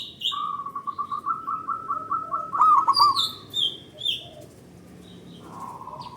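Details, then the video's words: [1, 'Local zebra dove singing, used as a lure to stimulate other doves to sing; about a dozen quick, evenly spaced low coos run into a louder rolling trill, with thin high chirps from other small birds around it.'] "Pancingan Burung Perkutut Lokal Gacor Dor Bersaut Sautan $uara Keras Panjang"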